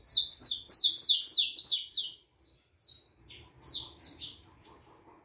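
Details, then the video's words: Harlequin saffron finch, young bird aged four and a half months, in full song: fast, loud buzzy descending notes repeated several per second, then slowing to spaced, softer notes. "canario da terra filhote arlequin cantando muito"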